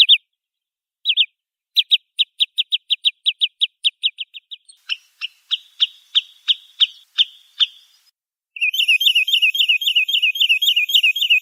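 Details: Wood sandpiper (Tringa glareola) calls: a sharp, high, clipped note repeated in a steady run of about twenty, some fainter and thinner midway, then a loud rippling high trill at the end.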